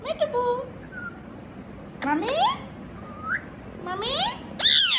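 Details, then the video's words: Indian ringneck parakeet talking: mixed speech-like syllables, clear rising whistles that sweep upward, and a few sharp harmonic squawks, delivered in uneven bursts over a faint indoor hum. "Talking Parrot | Indian Ringneck Parrot"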